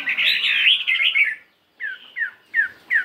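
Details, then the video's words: Chinese hwamei, a 72-gram fighting bird, practising its morning song; loud warbled phrases give way after a pause to four separate downslurred whistles. "Tiếng Chim Hoạ Mi Chiến 72gam Hót Đảo Giọng Rất Hay."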